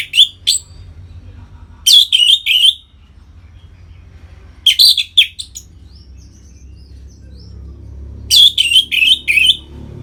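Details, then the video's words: Captive-bird stimulation recording of the Orange-headed thrush 'ngeplong' song: short clear phrases, then three bursts of rapid, rich whistled and chattering notes spaced several seconds apart, with quiet low hum between. "Suara Ngeplong ANIS MERAH Gacor Memancing Burung Agar Birahi dan Lanjut ke Tahap Teler"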